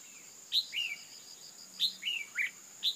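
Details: Female red-whiskered bulbul calling to excite males: short bright chirps, each a sharp high note slurring down into a lower trill, in two bursts about 1.3 seconds apart, over a steady high electronic whine.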